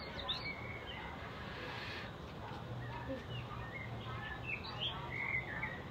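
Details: Evening bird chirping outdoors: several short, high chirps and brief twittering notes scattered through a steady background hiss, with a low hum running underneath.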